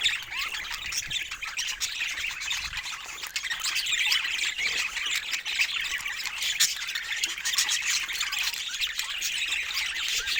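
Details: Pet budgerigars kept with other parrots, giving soft bird sounds: a dense, continuous high-pitched chatter of overlapping chirps and squawks from several birds, steady in loudness for ten seconds.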